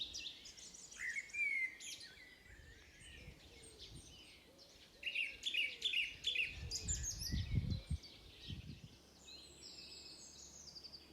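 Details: Wild birds singing in a forest at Beder, Aarhus, Denmark, near Moesgaard Museum: bright high chirps and twittering phrases, including a quick run of four sharp notes midway, with low rumbling thumps and handling noise around the eighth second.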